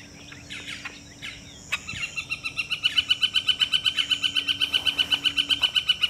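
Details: A Pileated Woodpecker gives a long, loud run of ringing notes, about four a second, building then holding steady, after some soft chirps from other birds.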